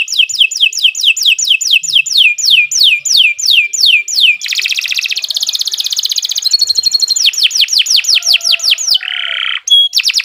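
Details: Long, energetic canary song meant as a master recording for teaching other birds: about twenty rhythmic downward-slurred whistles, then dense buzzing trills, rolling phrases and a final swoop.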